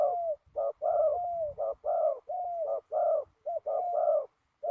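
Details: Spotted dove calling at a ground decoy trapping site in strong wind, with rapid alternating short coos and long, level to slightly falling coos in an almost continuous sequence, faint low rumble behind.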